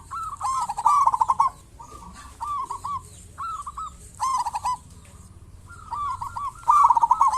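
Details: Zebra dove of local stock singing steadily, used as a lure to prompt other zebra doves to call: phrases of rapid, trilled coos alternate with single mellow notes, a few seconds apart.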